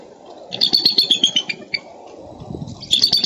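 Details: Eagles recorded in Minnesota on 13 April 2013: an eagle gives a rapid run of high, thin chittering notes, about six per second, then a second short burst, over a low rumble of wind.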